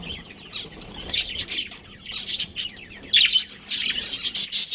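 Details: Budgerigars from a colony starting quietly, then breaking into louder bursts of quick, high, buzzy chirps and warbles, growing busier toward the end over a faint hum.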